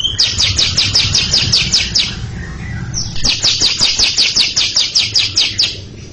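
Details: Cucak ijo, the greater green leafbird, in a long ngekek before a younger bird that has stopped singing: rapid, evenly pulsed high chatter, about two and a half notes per second, in two long runs over low rumble.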